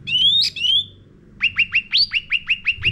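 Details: Sooty-headed bulbul singing a lure song for caged-bird training: a short bubbly phrase, a pause, then about ten evenly spaced sharp chips, each rising briefly, repeated quickly.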